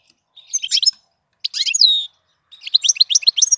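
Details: April song of a European goldfinch: crisp, high twittering phrases, one ending in a clear drawn-out downslurred whistle, followed by a rapid string of tinkling notes; no background noise.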